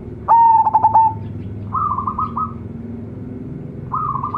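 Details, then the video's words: Local-strain zebra dove, young of a champion decoy bird. One loud stuttering coo phrase of rapid pulsed notes, followed by quieter rolling coos in the background. "PERKUTUT LOKAL ANAKAN RAJA PIKAT SUARA CEMERLANG"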